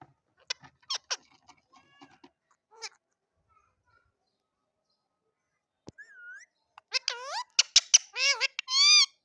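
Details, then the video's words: Rose-ringed parakeet's natural calls: short sharp clicks and chatters, then a rising whistle and a burst of harsh, squealing screeches at the end. "Ringneck Perrot !! Natural sound of perrot"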